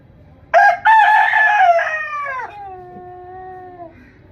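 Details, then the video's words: A rooster gives one full crow: a short clipped opening note, then a loud, strained, harmonic wail that drops in pitch and trails off into a long lower tail. "Rooster Crowing"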